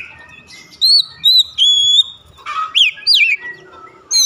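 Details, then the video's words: Oriental magpie-robin (kacer), daily lure to trigger singing: several clear level whistles held half a second each, then steep downward slurs and mixed buzzy notes. "pancingan harian Kacer langsung gacor"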